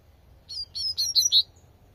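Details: A short tui tui phrase from a Double-collared seedeater in nature: five clear, high, slightly buzzy whistled notes in quick succession, each sliding gently, against a quiet low hum.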